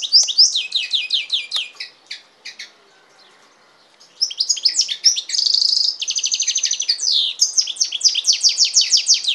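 A goldfinch-canary hybrid sings quick, bright twittering phrases with liquid trills and buzzy notes. A short pause separates the two bursts, and no other sounds are heard.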